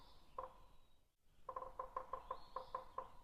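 A downy woodpecker taps on wood with one knock, a pause, then about ten sharp, hollow taps at an uneven pace of roughly five per second. A faint high whine sits in the background.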